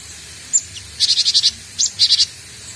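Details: Young cinereous tit learning its sound gives two quick series of buzzy, pulsed high notes, five and then three, after one brief thin chirp.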